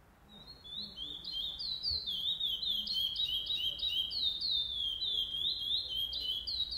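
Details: Curió, the chestnut-bellied seed finch, at the first stage of a pardo-style singing tournament, 8 November 2020: dense, overlapping whistled phrases with sweeping downslurred notes, suggesting more than one bird singing at once, almost continuous throughout.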